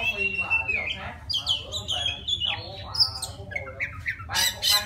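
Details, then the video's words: White-rumped Shama from the forest singing to attract a female, with warbled whistled phrases and harsher notes over a noisier background, ending in rasping bursts. "Tiếng choè than rừng hót gọi mái"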